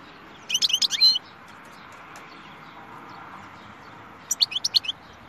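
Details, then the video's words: European goldfinch singing in a clear voice: two short bursts of bright, tinkling twitters and rapid chirps, each under a second long, separated by about three seconds of faint background hiss. "The most beautiful goldfinch اجمل حسون صوته رائع"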